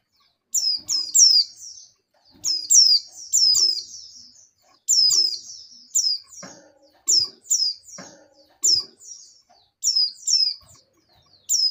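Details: Breeding-condition female oriental white-eye calling the male: rapid, high-pitched descending chirps in twos and threes, repeated about every second, with occasional low clicks.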